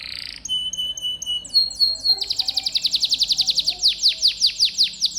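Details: Training-style gacor song from a canary. A short whistled note and a few clear tones lead into a long, dense, high trill of repeated sweeping notes, loud and clean.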